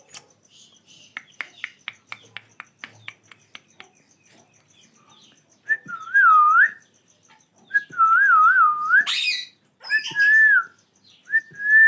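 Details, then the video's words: Ringneck parrot pair: soft clicks and taps at first, then long, loud, warbling whistles that wave up and down like a trill, separated by brief pauses, with one harsh burst. "Natural sounds of ringneck parrot pair"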